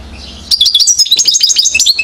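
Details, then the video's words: Quick, bright twittering with rapid jumps in pitch, sung by a one-year-old European goldfinch in Mouzaia, Algeria, recorded in 2012. "chardonneret acrobate 1 an.."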